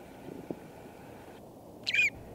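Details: Singing Northern Shrike in winter at Schoodic Point, Acadia National Park, Maine, giving a single short, harsh, slightly buzzy note near the end, against a quiet low rumble of wind.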